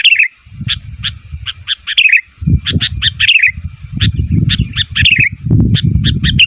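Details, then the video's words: A sooty-headed bulbul calls, said to draw replies from other bulbuls, with quick runs of bright, bubbly notes, some slurred downward, repeated in bursts every second or so over a low rumbling background. "SUARA BURUNG KUTILANG MEMANGGIL, KUTILANG LAIN MANA TAHAN GAK NYAUT"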